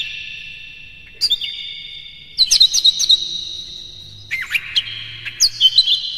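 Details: Kacer, or Oriental magpie-robin, singing energetically with mimicked fills as a lure for other kacer: separate volleys of sharp, rapid chipping notes and whistled slurs, spaced about a second apart, with sustained ringing tails.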